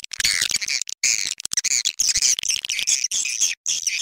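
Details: Swiftlets in a mixed calling sound used to lure swiftlets: dense, high, buzzy twitters and squeaky chirps in rapid bursts, broken by short silent gaps.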